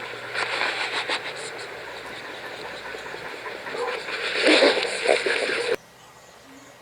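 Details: Broadband rumbling noise like a passing vehicle or train, with faint voices, ending abruptly. No animal voice stands out above the noise.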